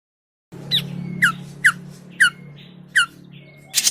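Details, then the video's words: Grey-cheeked bulbul lure call used for trapping birds: a series of loud, sharp, downslurred notes repeated about every half second, with a thin steady tone running between them and a low hum underneath. "SUARA PIKAT CUCAK JENGGOT MINI"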